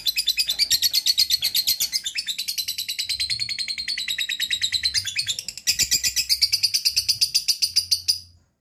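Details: Lovebird delivering ngekek, its long chattering song: dense fast high-pitched chatter across eight seconds, easing slightly midway, then a fresh loud burst that fades out at the close.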